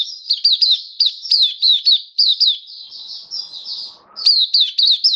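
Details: Oriental white-eye kept as a hobby songbird, recorded 27 October 2022: rapid, continuous high twittering of short sliding chirps and trills, with a brief pause and a faint low rustle before the song resumes.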